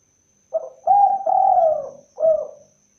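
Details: Spotted dove, called tekukur or derkuku, delivering a cooing phrase of a short soft opener, two drawn-out loud coos and a closing falling coo, with a faint constant high whine behind.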